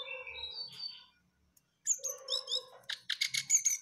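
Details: Jongkangan bird in full, lively song a day before it disappeared. Soft, varied whistles give way after a short pause to fast, twisting, sweet phrases, then a burst of loud, sharp, rapid notes.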